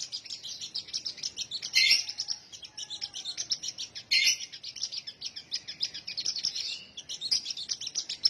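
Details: Sunbird song: a rapid, high, thin twittering of short chirps running almost without pause, with two louder, sharper bursts near two and four seconds.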